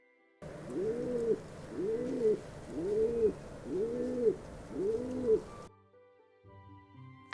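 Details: A rock pigeon, one of three that flew from overhead power lines, gives five low, throaty coos, each swelling and falling, about a second apart, then a brief quiet tonal sound.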